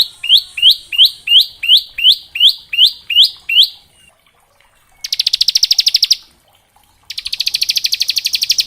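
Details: Bar-winged prinia training song in ngebren style for juvenile birds: a series of about eleven rising whistled notes, then two rapid buzzy high trills separated by short pauses.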